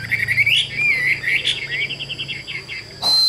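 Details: Caged Chinese hwamei, described as a tame bird, kept by a bird seller in Vietnam, singing: fluid rising and falling whistled warbles, then a run of quick repeated notes, ending with a sharp click.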